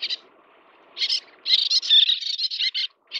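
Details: Little tern (Sternula albifrons) feeding chicks gives loud, rasping high calls that run into a rapid chattering series of clipped notes, then a brief pause and another call.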